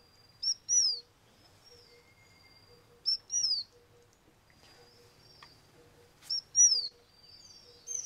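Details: Taiwan fulvetta (Fulvetta formosana) foraging on a tree trunk at Tataka, Taiwan, 24 May 2012. It gives thin, high, slurred call notes in quick pairs about every three seconds over a faint insect-like hum and low rumble.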